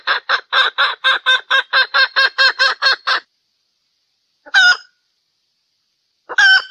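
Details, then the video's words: Hen mating call in valentine season: a dozen rapid nasal clucks, then silence broken by two separate, louder drawn-out squawks a couple of seconds apart. "Hen Mating Sound - Happy song during valentine season"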